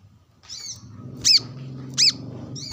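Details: Brown-throated sunbird sunbathing and calling a rival beside wild birds; two loud, ringing high chips about a second apart, framed by softer twitters over a steady low hum.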